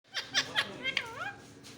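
A parrot talks: three quick, raspy syllables, then a drawn-out, wavering, voice-like phrase with rising and falling tone, in a small quiet room.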